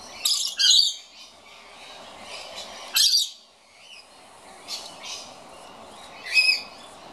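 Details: Scaly-breasted lorikeet complaining at an empty birdfeeder, giving loud shrill squawks in irregular bursts, a doubled screech at the start, then single rasping shrieks around three, five and six seconds, softer chatter between.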